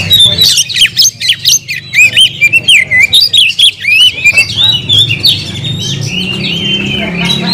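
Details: Oriental magpie-robin (kacer), a caged bird, delivering energetic song: rapid clipped chirps and slurred whistles, about one and a half per second, easing into a looser warble over a low hum.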